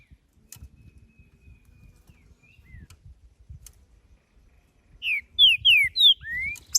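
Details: Creamy-bellied thrush in nature: faint distant whistles early, then a loud phrase of four descending whistled slurs ending in a long rising whistle.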